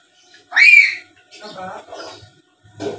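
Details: Black-capped lory, a talkative bird in full voice, used as a lure to get rival lories answering: one loud rising harsh squawk, then softer speech-like chattering phrases.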